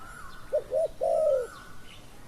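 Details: Single spotted dove phrase from a decoy session: two short soft coos followed by a longer, slightly falling coo, low and hollow, with a faint thin whistle running above.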